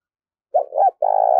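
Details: Spotted dove kept as a decoy bird to lure others: two short hooting coos followed by a longer, steady, slightly wavering coo, low-pitched and clean with no other sounds.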